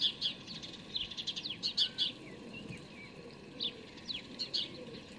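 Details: Fledgling house sparrows begging while being fed, filmed from a hide on 12 May 2019: quick bursts of shrill, high chirps in rapid runs, then scattered single chirps, over faint low background noise.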